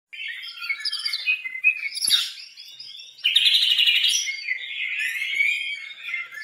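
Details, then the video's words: White-rumped shama, described as an original Medan bird, singing a varied run of bright whistled and warbled phrases, rising and falling, with a louder burst of rich notes after three seconds. "Ciri ciri Murai Batu Medan asli original"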